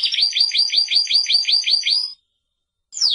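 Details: Timbrado canary (Serinus canaria) song, 2017 recording: a rapid roll of about nine repeated, rising, bright notes over two seconds, a short silence, then a single sharp descending note.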